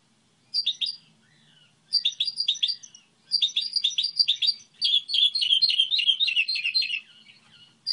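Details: Bursts of quick, high twittering from a Goldfinch hybrid used as a song model, separated by brief pauses, the last phrase a long continuous rattling warble.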